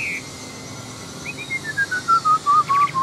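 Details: Caged wild-caught Chinese hwamei, an adult fighting bird, delivers a clear whistled series of about ten short notes that step steadily downward in pitch, evenly spaced and growing louder toward the end.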